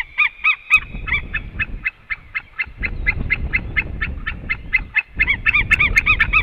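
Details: Male and female white-tailed eagles returning to the nest, calling before they leave; rapid yelping notes in a steady run, with loud clustered barks at the start and end and rumbling wind noise behind.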